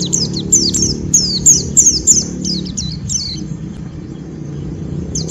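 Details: White-eye in rough ngeriwik, luring others to call: a fast string of piercing high downslurred chirps for about three seconds, then fading to quieter notes with low traffic-like rumble underneath.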